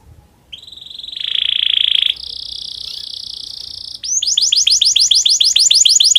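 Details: Domestic canary in breeding condition, a song to stir other canaries into song: a rising buzzy roll, a steady high drawn-out tour, then rhythmic repeated down-swept notes.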